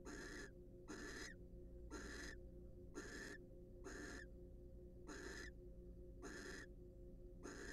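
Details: Wild barn owls at a monitored nest box during preening and courtship; broad hissing, rasping calls about half a second long, repeated roughly once a second, over a steady low hum.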